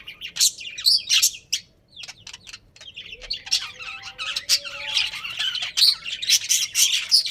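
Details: Pet budgerigar breeding pair: a few sharp squawky chirps, a brief near-silence, then building chatter of rapid scratchy notes and bright squeaks.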